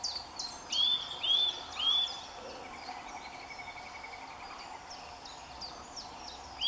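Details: Eurasian nuthatch (Sitta europaea) singing in full sunshine in early March, three loud, clear whistles about half a second apart, each curving upward, another after a pause; faint chirps and a soft trill from other birds behind.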